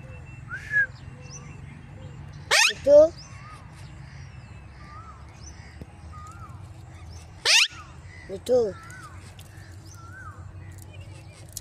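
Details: Rose-ringed parakeet giving two loud, harsh, raspy squawks about five seconds apart, each trailed by short rising voiced notes; soft chirps of other birds and a steady low hum continue in the background.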